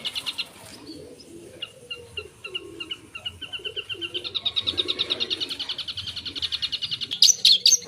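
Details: Long-tailed shrike song full of mimicked phrases: scattered chirps, then a fast, buzzy, pulsed rattle repeated more than twice a second, building louder, ending with sharp high notes.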